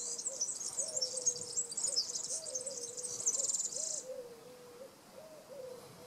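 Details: A European serin at Praia do Vau, Algarve, Portugal sings a very high, rapid, sizzling jingle for about four seconds, while soft, low, repeated hooting notes from another bird continue underneath.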